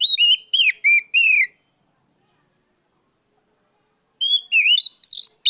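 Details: Oriental magpie-robin calling out a rival, giving four falling whistled notes, a pause of nearly three seconds, then a rising, more varied whistled phrase.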